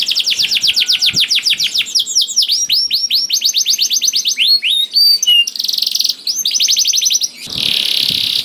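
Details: Canary song played to prompt canaries that are slow to sing into singing: fast, bright trills of repeated rising and falling notes, shifting between rattling series and a buzzy sustained trill near the end.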